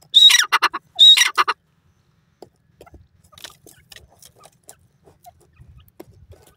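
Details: Desi teetar francolin in the jungle giving two loud harsh grating call phrases close together, followed by several seconds of quiet with faint scattered clicks and rustles.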